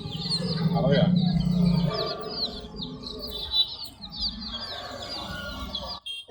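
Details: Chorus of multi-coloured chicken chicks giving rapid high-pitched peeps in a continuous overlapping stream, with a low droning hum underneath during the first two seconds and faint background noise.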